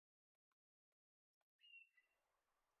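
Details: Chiming wedgebill, usually found in pairs in tall, dense shrubland of western central Australia, gives its distinctive call: a clear, drawn-out whistle sliding downward after a few faint ticks, over a steady background hiss.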